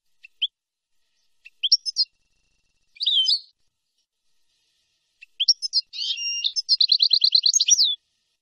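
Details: European goldfinch tutoring song for young birds, nahrat and taqasim style: sparse chirps and a buzzy note, then a harsh nasal phrase running into a rapid rhythmic trill, with a clean, silent background.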